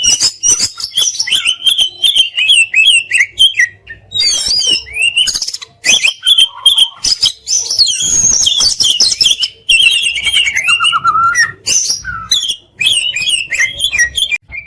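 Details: Oriental magpie-robin, known locally as kacer, delivering continuous varied song with fill-ins and sharp bursts: whistled warbles, buzzy harsh passages and fast chattering phrases packed densely together.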